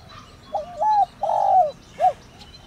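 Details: Spotted dove (cu gáy) calling in the 'thổ đồng' style, used to stir decoy doves to answer quickly. One low cooing phrase: a short wavering note, a long smooth descending coo, then a brief closing hoot.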